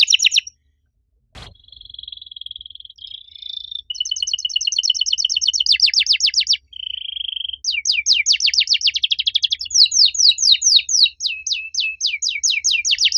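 A canary sings loud, varied phrases: fast buzzy trills, a sustained whistled note, and rapid repeated chips, all high-pitched and continuous.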